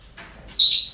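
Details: Short, abrasive parrot screech at a breeding centre, preceded by a soft breathy sound, ending quickly in quiet hum.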